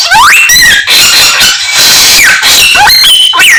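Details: Chinese hwamei in vigorous song imitating many other birds; long loud whistles rising and falling, with steady high chatter beneath.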